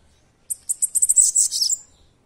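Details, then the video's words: Bananaquit singing: a quick, very high, buzzy trill of rapid sibilant notes, speeding into a dense hissing run and ending in a short thin slur, heard against near-silence. "Sibite cantando"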